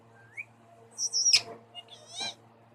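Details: Two pet parrots: a soft rising whistle, then a piercing high trilled whistle sliding downward, a sharp click and a raspy wavering screech to close.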